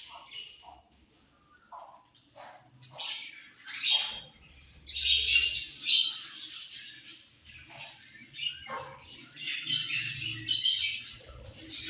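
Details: Budgie chirping starts with sparse short high chirps, then grows into fast, scratchy, buzzy warbling with clicks and squeaky notes.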